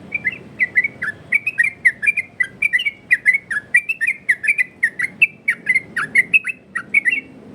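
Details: Loud yellow-vented bulbul 'ropel' variation, used as a tutor song and as a lure. Steady string of bright, warbling whistles, each dipping and rising, repeated quickly and evenly, with crisp clicks over the notes.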